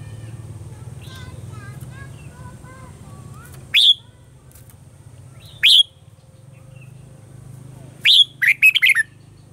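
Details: Red-whiskered bulbul in a morning training song with a mature wild-type voice for caged birds: faint twittering from another bird at first, then isolated loud sharp chirps, and finally a quick run of bright, slurred notes, over a steady low hum.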